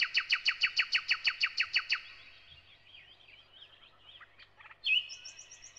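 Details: Thrush nightingale song opening with a fast, even run of about eleven loud repeated notes, followed by softer twittering warbles and a brief high whistled trill at the end.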